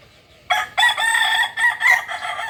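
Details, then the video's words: Native Kukuak Balenggek rooster from Solok, West Sumatra, crowing for two seconds in a stepped series of loud, harsh syllables with brief breaks between them, after half a second of quiet. "Ayam kukuak balenggek ayam asli solok sumbar"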